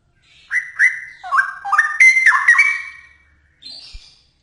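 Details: Straw-headed bulbul singing actively: a loud burst of rich, liquid whistled notes stepping up and down in quick jumps, rising overall, then a pause and a short higher note at the end.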